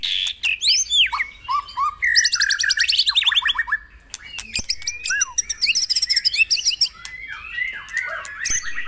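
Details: White-rumped shama song, played in the morning to coax caged birds into singing: rising and falling whistled slurs, fast rattling trills, and sharp chirps in quick, irregular succession.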